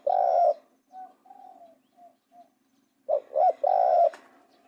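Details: Spotted dove coos: a long buzzy coo, then several soft short notes, then a full phrase of two quick coos and a sustained note, over a low steady hum.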